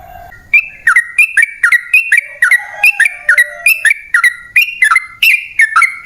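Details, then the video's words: Long rolling song of a sooty-headed bulbul, the style known locally as ropel panjang, used to lure wild birds: bright two-part whistled phrases, a high note dropping to a lower one, repeated steadily about three times a second. "Pancingan Trucukan PALING AMPUH ! Burung Langsung Ngalas | & Nyaut Gacor"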